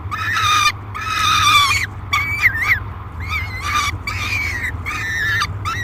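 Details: Peregrine falcon in a nest box at Great Spirit Bluff, July 3, 2021, calling aggressively while fed; long raspy screams followed by shorter wavering ones, five or six in all, with a low hum underneath.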